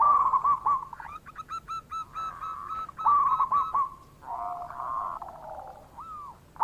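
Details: Local zebra dove calling vigorously as a lure to get reluctant doves to answer: rapid hooked cooing notes in quick runs, a lower purring phrase near the end, then a single rising coo, with other doves overlapping.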